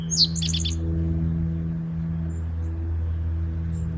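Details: Eastern towhee in the woods, where the male sings to defend his nesting territory: a single sharp down-slurred note, then a quick buzzy trill of four repeated notes, over a steady low hum.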